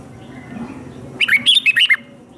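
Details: Red-whiskered bulbul fighting song for voice training of caged birds; one quick phrase of five or six bright, bouncing whistled notes lasting under a second, over a faint low hum.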